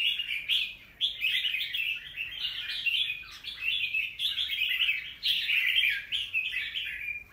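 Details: Chattering warble from a wild-caught Red-whiskered bulbul with new plumage, in its second season. Dense phrases about a second long are separated by brief dips, with louder bursts near the start and middle.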